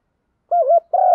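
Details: Lure spotted dove calling the flock with 'một hậu' cooing: a wavering low coo followed by a longer, steady hollow note that runs on.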